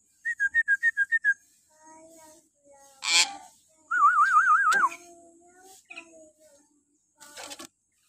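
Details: Common hill myna in the morning, its shrill voice used to train caged mynas: seven fast identical whistled notes, a loud rasp, a rapidly wavering trilled whistle, then softer calls.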